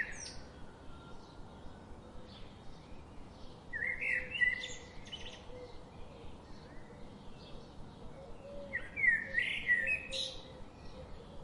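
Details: Bird sounds over a constant hiss: scattered short chirps throughout, with two louder bursts of warbled, twittering whistles near four and nine seconds.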